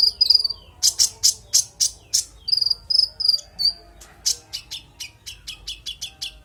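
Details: Konin singing clearly through its varied repertoire, used as tutor audio for songbirds: rapid high sharp notes mixed with short trilled chirps, slowing to a steady series of quick high strokes near the end.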